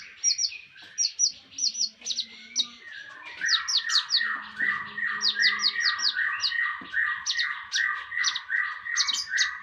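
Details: Master recording of a Javan tesia for songbird training, with a rapid chattering series of descending chirps, steady and rhythmic, under crisp high ticking notes.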